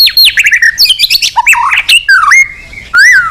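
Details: White-rumped shama singing to call a rival, a fast jumble of loud whistled notes and squeaky slurs falling and rising, ending in a clear, drawn-out whistle.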